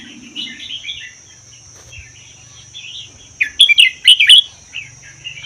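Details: Caged red-whiskered bulbul, originally wild from Vietnam–Laos and kept a year, its song rated 80% doubled, played to encourage other bulbuls; quiet warbling gives way to a loud burst of sharp chirps, with low humming and a high whine behind.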